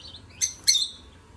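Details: Singing lovebirds give two sharp, piercing chirps close together, the second longer and buzzier, over a quiet background of faint high twittering.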